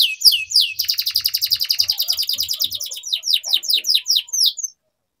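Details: Canary singing in a long, continuous style, used as a training lure to teach young canaries to sing. Fast tours of repeated high chirps and downward sweeps, one brisk trill after another, with a short pause near the end.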